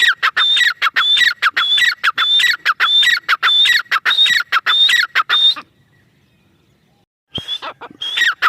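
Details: Female teetar, the grey francolin, calling in a long even series of harsh two-part phrases, a high whistle then a falling squeal, roughly twice a second, before falling silent and starting again.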